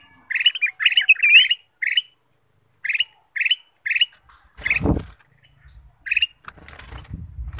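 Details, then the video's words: Kutilang emas bulbul sung as a lure to prompt other birds: fast, chattering, liquid phrases, then single short notes about once a second, interrupted by a loud rustling clatter and closing with scraping noises. "pancingan kutilang emas"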